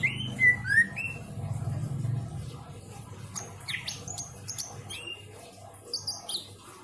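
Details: Greater green leafbird kept as a caged pet in Indramayu, Indonesia, singing a lavish, richly filled song: a few loud rising whistled notes open, then scattered high chirps and clicks fade out, over low background rumble.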